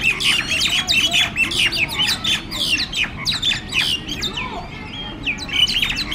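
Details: A gang of mynas in communal aggression, fighting with loud noise: harsh, overlapping squawks, chatters and rasping notes pour out continuously, with sharp whistled bursts cutting through.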